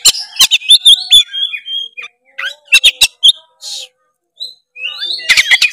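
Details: Oriental magpie-robin in energetic rival-seeking song, a lure for lazy birds; short flat whistles and sharp clicks in clusters, then quiet gaps before a final burst of notes.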